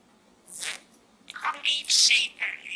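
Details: Pet budgerigar chattering inside a small gourd, giving a few brief raspy, speech-like bursts with high squeaky notes, separated by short pauses.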